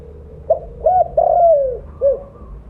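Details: One full coo phrase from a big-voiced mottled spotted dove used for luring: a short hoot, a second note, a long sliding, falling coo and a final short hoot, over low steady hum.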